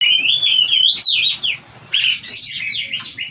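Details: Oriental magpie-robin (kacer) from a breeding farm, singing in the lively 'gacor full isian' style: loud, warbling whistled phrases sliding up and down, then a brief pause before a burst of harsher, buzzy notes.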